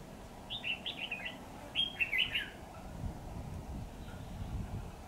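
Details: Caged red-whiskered bulbul decoy, described as 'mào đinh lân hầu bò', singing during a trapping session on 28 September 2019. A quick run of five bouncy whistled notes, then a louder tangled warble, with low background rumble.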